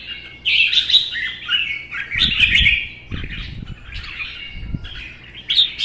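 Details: Red-whiskered bulbuls, one captive-bred and one wild-caught adult in its first season, duelling in song in cages. Continuous loud, bubbling warbles and chatters, with low dull thumps and rustles from movement underneath.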